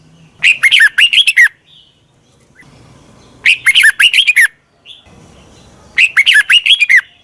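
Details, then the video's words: Red-whiskered bulbul decoy singing to attract wild birds, with three energetic bursts of about seven bright, bubbling chirps each, spaced at even intervals of around three seconds. "Tiếng chào mào mòi chuẩn gọi chim bỗ nhanh về"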